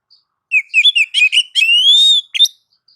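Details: Tutor song of an Oriental magpie-robin for provoking replies: choppy chirped notes lead into one long, smoothly rising whistle, closed by two short sharp notes.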